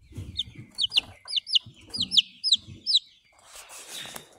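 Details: Eleven-day-old Buff Orpington chick, hatched 17 April 2023 and recorded 28 April 2023, peeping in quick descending squeaks over low rustling, ending in a burst of handling noise.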